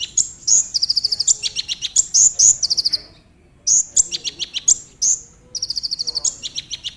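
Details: Brown-throated sunbird singing in the tembakan manner as a lure for other sunbirds: rapid high trills of even, ringing notes alternating with sharp whistled flicks, one short silence midway.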